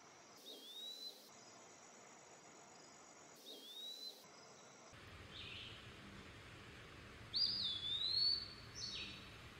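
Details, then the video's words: Eastern wood pewee giving thin slurred whistles, short faint ones early on, then a louder drawn-out note that rises and falls, with soft background hiss between phrases. "Eastern wood pewee call / song / sound"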